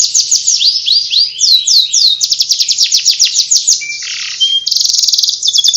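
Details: Canary in ngriwik warble, pouring out fast high descending notes, a mid-song buzzy rasp and flat whistle, then a dense rapid trill at the end.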